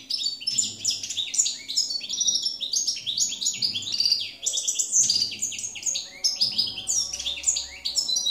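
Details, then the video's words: A campero goldfinch, recorded in 2017, sings a long, energetic medley of quick metallic chirps, short trills and nasal buzzes, repeated in dense phrases throughout. "jilguero campero 2017"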